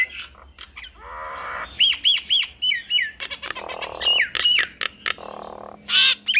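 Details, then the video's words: Pair of Nias hill mynas calling in a duet that provokes other mynas: arched whistled notes in threes, harsh rasping bursts, and sharp clicks in an irregular loud sequence. "Duet Maut Jalak Nias Bikin Ribut Semua Burung Jalak"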